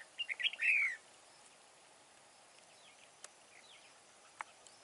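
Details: A wild-caught red-whiskered bulbul used as a fight-trapping decoy gives one brisk warbled phrase closing with a falling slurred whistle, followed by near quiet with a few faint distant notes.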